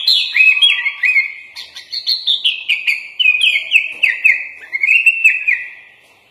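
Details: Sooty-headed bulbul (kutilang) in full-filler gacor training song: an even string of bouncy, up-and-down slurred notes, steadily repeated and gradually dropping in pitch before fading out.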